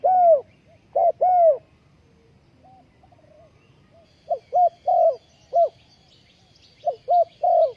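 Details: Spotted dove serving as a ground decoy for trapping, 20 April 2020, in bursts of short and longer falling coos separated by a quiet pause; faint high twittering of other birds in the background.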